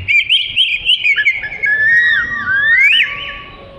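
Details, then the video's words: Oriental magpie-robin (kacer) song meant for training other birds: rapid repeated whistled notes giving way to long, smoothly gliding whistles that dip and rise. "Kicau Kacer Gacor Cocok Untuk Isian"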